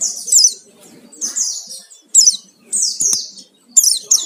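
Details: Oriental white-eye in lively full fill-in song, played as a lure to make other birds sing: bright high chirping phrases of slurred descending notes in short bursts with brief silences between them, and a faint click.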